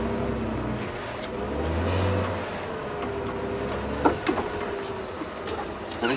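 A car engine revs and hums, with voices talking and a few sharp knocks near the end; no animal calls are heard.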